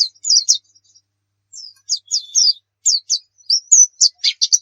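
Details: Oriental white-eye singing, meant as a tutor for other birds: spaced bursts of high, sharp chirps and short slurred whistles, with pauses between.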